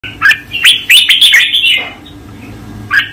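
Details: Red-whiskered bulbul master song used for training caged birds: a quick run of bright, chirpy whistled notes clustered in a burst over the first two seconds, then a short pause and one more note, with no other sounds.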